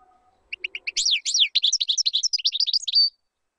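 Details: A European goldfinch sings for teaching chicks. A few spaced chirps open into a fast, tumbling twitter of high slurred notes, with a faint low tone at the start.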